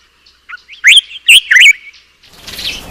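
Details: Black-eyed bulbul calling while taking a bath: a short burst of bright, chirpy whistled notes that swoop up and down, three loud slurred phrases close together, followed by a brief soft rustle.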